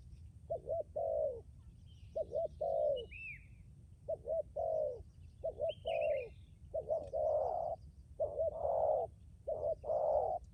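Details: Spotted dove used as a decoy bird cooing repeatedly for ten seconds, wavering double coos then longer drawn coos, later phrases louder and fuller; distant chirps and high whistles of other birds.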